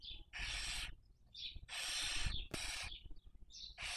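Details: Breeding barn owls at a webcam nest, Cabañeros National Park, Castilla-La Mancha, Spain, 2023: long loud hissing, rasping screeches fill most of the recording, alternating with short high squeaky notes.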